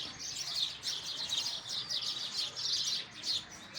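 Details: Sparrows giving continuous overlapping high chirps and tweets, many short bright notes packed together in a busy chattering chorus with no pauses.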